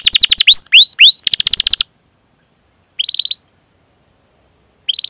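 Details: Canary chirp-and-roll song meant to prompt young or quiet canaries to sing: quick rolled notes, three rising whistles and a fast trill, then silence broken by two short buzzy trill bursts.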